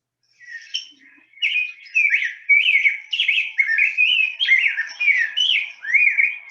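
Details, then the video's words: Rose-breasted grosbeak song, robin-like but sweeter and more fluid: a continuous run of rich warbled, rising and falling phrases, about two per second, steady for six seconds, with no other sounds. "You have it posing, you get the little catch light in the eye. But listen to this."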